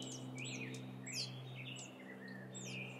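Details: Downslurred piping notes from a group of wild turkey chicks in the Sierra foothills of California, some longer sliding whistles among quick high peeps, low hum in the background.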